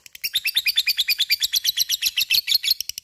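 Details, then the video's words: Lovebird in fighting, gacor ngekek style, a long chatter meant to provoke other lovebirds into joining: rapid run of sharp, high chirps, about three per second, slightly uneven, continuing throughout. "LOVE BIRD akan trpancing untuk ikut ngekek fighter dan gacor"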